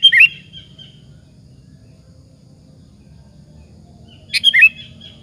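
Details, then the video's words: Sooty-headed bulbul lure song aimed at drawing replies from other bulbuls: a bubbly whistled phrase at the start and another after about four seconds of quiet, with low background rumble. "suara PANCINGAN BURUNG KUTILANG BUNYI GACOR satu ini, Pandai memancing EMOSI LAWAN"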